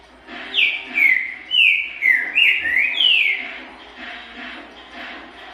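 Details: Green-winged saltator singing loudly, kept in a breeding aviary: a series of rich, whistled phrases sliding down and rising again, five or six notes over about three seconds, fading into quieter echoing notes.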